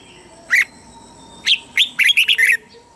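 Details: Southern Thai master-song style of a red-whiskered bulbul, used for teaching young caged birds: two isolated sharp notes followed by a rapid cluster of five or six warbled, bubbling notes.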